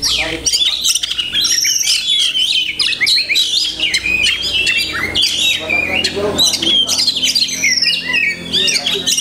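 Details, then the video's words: Kacer, the Oriental magpie-robin, delivering a song rich in mimicked phrases: a continuous, fast stream of piercing whistles, upward and downward slurs and scratchy chatter, loud and sustained throughout with hardly any gaps. "Banyak Masteran iNi Kacer"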